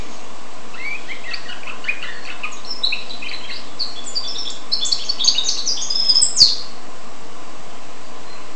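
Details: Song of a goldfinch and canary hybrid: a twittering run of quick, varied chirps and short trills that climbs in pitch and grows busier, ending in a bright high flourish, over a steady low hum.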